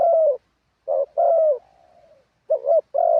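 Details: Spotted dove, a decoy bird used for ground trapping, singing a wild-style song with stressed and supporting phrases: loud low coos in short bursts, one followed by a soft, falling, drawn-out trailing note, then more paired coos. The setting is quiet.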